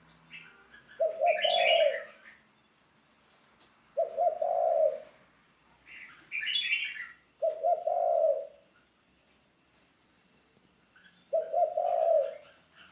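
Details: Spotted dove kept as a ground decoy during training gives four low, throaty coo phrases spaced roughly three to four seconds apart, each a short run of fused notes, with higher chirping from other birds overlapping the first three.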